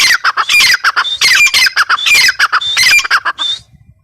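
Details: Calling female grey francolin (teetar): loud, grating squawks with short downward-sliding notes, delivered in quick groups for about three and a half seconds, then fading to silence.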